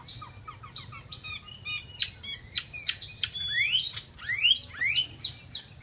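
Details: Chinese hwamei, a Vietnamese cage bird, opening with soft quick notes and dry rattles, then loud upward-sweeping whistles repeated several times.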